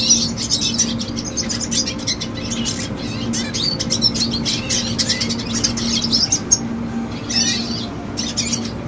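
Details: A teenage red siskin sings a long, continuous twittering song of rapid high chirps, sweeping notes and buzzy trills, while a constant low hum runs underneath.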